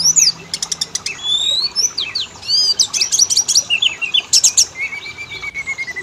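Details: Oriental magpie-robin song meant as a lure to set males and females singing: dense bursts of sharp clicks and ticks, high whistled slurs and chattering phrases, ending in a long level whistle, with a faint low hum.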